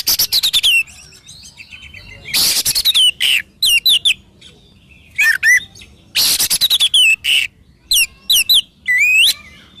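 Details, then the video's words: Oriental magpie-robin in full, varied song: fast rattling harsh bursts alternating with looping, rising and falling whistled phrases, repeated in lively sequences with short pauses. "SUARA BURUNG KACER GACOR COR"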